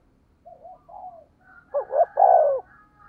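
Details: Spotted dove kept as a decoy, low 'thổ' voice, 'thúc gù' style: soft quavering murmurs lead into one loud phrase of a hooked double note and a long, descending coo, over faint low background hum.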